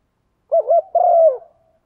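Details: A female spotted dove calls to urge a male to coo, a sound used to lure wild doves. There is a single phrase: two short wavering hoots, then a sustained mellow coo sliding downward.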